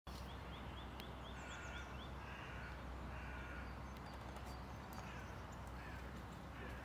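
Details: Eurasian nuthatch (Sitta europaea) in Tivoli Landscape Park, Ljubljana, Slovenia, 9 March 2023: a quick series of about six short, rising, whistled notes, then quieter calls, over a steady low rumble with faint chirps from other birds.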